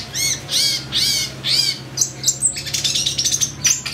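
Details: Excited long-tailed shrike singing nonstop with varied fill-in phrases, used to provoke shrikes into emotional song: four loud, rasping arched squawks about half a second apart, then a rapid stutter of thin, high, shrill notes over a steady low hum.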